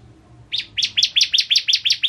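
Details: Bar-winged prinia (ciblek kristal) singing vigorously in a master tutoring recording: after a brief quiet start, a quick run of eight bright, high, ringing notes repeated steadily about five times per second.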